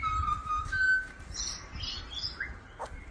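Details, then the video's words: A Pied Butcherbird in Australia sings clear, flute-like whistles: a steady mid-pitched note, then higher fluty phrases, a short rising note and a quick falling slur, with a low background hum. "Australian Butcher Birds Singing"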